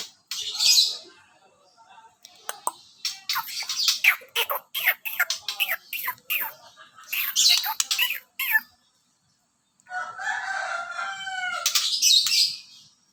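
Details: Captive white-rumped shama set out for sunning on an overcast day, delivering a long run of sharp clicking and rasping notes, then a phrase mixing clear whistled notes with harsh chatter.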